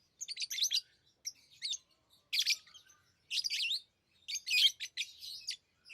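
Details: Lovebirds kept as pets chirping in short, rasping, high-pitched bursts, about five clusters spaced roughly a second apart with silence between them.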